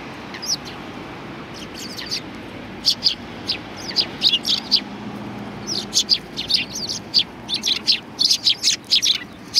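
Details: Sparrows at a Tenmangu shrine in Japan in February 2020, chirping in sharp high notes, scattered at first and then in quick clustered bursts, over a steady low murmur of background noise.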